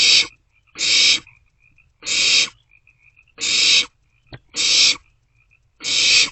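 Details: Young barn owls passing a meal back and forth in a nest box at night, 27 March 2024. Six long, breathy hissing calls come about a second apart, with a single sharp tick partway through.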